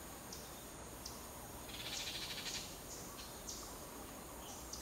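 Yellow-winged Tanager giving thin, high chips at irregular intervals, with a brief buzzy twittering burst midway, over a steady background hiss.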